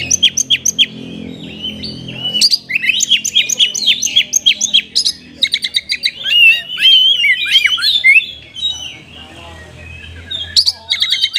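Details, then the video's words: Oriental magpie-robin song in kapas tembak style: sharp repeated chip notes open a long unbroken medley of twittering, whistled slurs and fast rattling phrases, ending again in rapid chips. "KACER RASA KAPAS TEMBAK ORIGINAL SOUND"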